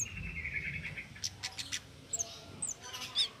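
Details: Cit keres song for training songbirds: a faint steady whine at first, then sharp clicks and high, thin upward-flicking chirps spaced irregularly.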